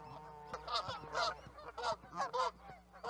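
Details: Canada geese giving scattered nasal honks in a loose group, several calls per second at the peaks with quieter gaps between bursts.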